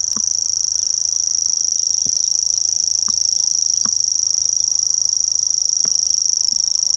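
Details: Grasshopper warbler singing at Blackhall Rocks, a sustained high mechanical reeling trill of rapid, evenly spaced ticks, unbroken and steady in pitch throughout, with a few faint low knocks in the background.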